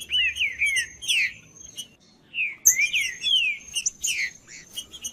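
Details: Green-winged saltator singing, played to warm up a cold bird: loud, clear whistled phrases that slide downward, given in two bursts separated by a short pause, over thin high chirps and a steady high-pitched tone.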